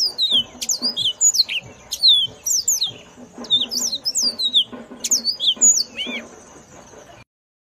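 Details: Yellow-fronted canary singing loudly: rapid bursts of high, clear whistled notes that sweep up and down, with quick slurred trills and short pauses between phrases; a faint low hum sits beneath.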